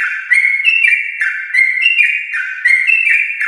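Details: Long rapid yellow-vented bulbul song from a prize-lineage bird, used to draw pet bulbuls into singing; bright repeated whistled notes alternating between two pitches in quick, steady phrases.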